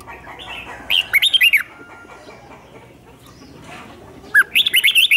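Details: Decoy red-whiskered bulbul singing to attract wild birds: two short, lively phrases of rising and falling whistled notes, separated by about three seconds of soft background.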